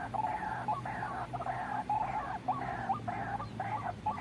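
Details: Trapping lure recording of white-breasted waterhen: nasal, honking notes with a whistled core, repeated roughly twice a second in an uneven chain, over a steady low hum.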